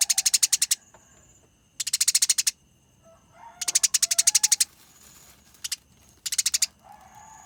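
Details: Eurasian tree sparrows in a fight give clear rolling chatter. Four short volleys of rapid, scratchy chirps alternate with pauses of about a second, and faint softer notes sound between them.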